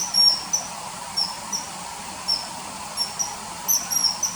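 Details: Common kingfisher calling, sound added to early September 2020 footage of the bird fishing by a river: brief piercing high notes repeated unevenly, some in quick pairs, over a low steady hiss.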